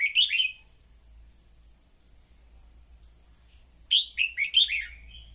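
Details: Red-whiskered bulbul used to stimulate birds to sing delivers bubbly whistled phrases: a short burst at the start, silence, then a four-note phrase of rising and falling whistles, over a steady insect trill.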